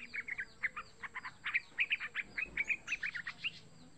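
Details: Rapid chatter of a young yellow-vented bulbul, a call meant to draw other bulbuls into calling; quick bright chirps and short warbled notes follow one another almost without pause for four seconds over a low background hiss.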